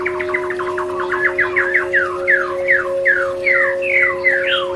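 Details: White-rumped shama song from a therapy track: a rapid stuttering series of short notes that gradually stretch into longer descending whistles, ending in a high swooping phrase, over a constant hum.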